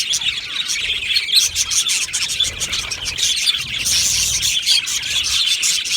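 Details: Flock of Australian budgies in an aviary chirping: dense high twittering that grows louder and brighter in the second half, with chirps overlapping constantly.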